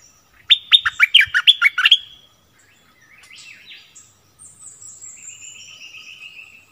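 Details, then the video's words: Streak-eared bulbul used as a decoy, 16 February 2021. A rapid two-second burst of loud, rolling chirps, followed by softer high thin trills from other birds. "เสียงนกดอกแตงEp.32ร้องแบบนี้ นกป่าหายหมด!!!"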